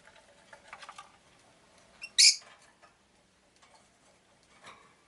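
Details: Rosy-faced lovebird, a pet bird, making one loud grating chirp in the middle, surrounded by soft clicks and light tapping noises.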